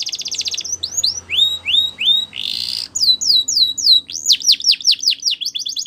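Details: Border canary singing a training song meant for young canaries: a brief trill, then rising drawn-out whistles, a short harsh burst, and a closing series of steep descending slurred notes.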